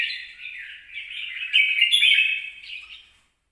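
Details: Red-whiskered bulbul singing, recorded 26 April 2022: a bright, warbling chatter of quick high notes that swells louder midway and fades out near the end.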